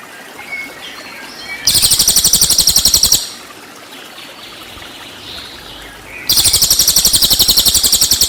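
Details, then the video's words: Cililin, used as a model for white-rumped shamas: two high buzzy trills of quick, even pulses, about one and a half to two seconds each, with running water audible between them. "MASTERAN CILILIN FULL TEMBAKAN"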